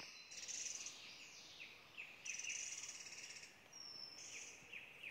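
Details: Hill blue flycatcher at Doi Inthanon, Chiang Mai, Thailand: short, high downslurred notes repeated about every half second, with one thin sustained whistle, half-buried under loud steady buzzing insect bands.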